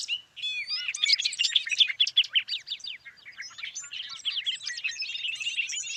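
A Bobolink pours out its fast, bubbling song: a tumbling jumble of high, metallic, tinkling notes running without pause, with no other sounds.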